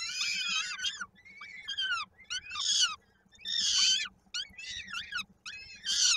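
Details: Peregrine falcons at their Koszalin nest in Poland, 16 May 2022, feeding time with a chick's foot stuck in a beak: loud screeching wails alternating with thinner descending cries, several silent gaps between bursts.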